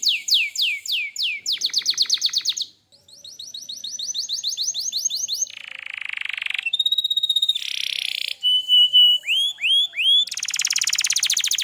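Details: Canary singing in lively gacor style: rapid series of downslurred whistles, then fast buzzy trills, rolling tours, steady high notes and quick upswept chirps, each phrase changing every second or two.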